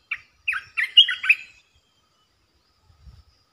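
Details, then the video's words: Clean recording of a resident red-eyed bulbul calling: about five rapid, slurred, gurgling notes packed into one and a half seconds, then silence. "เสียงนกกรงตาแดงEp.219 จ้าวหยกสายเรียก!! เจ้าถิ่นมารำ Suara merbah belukar gacor"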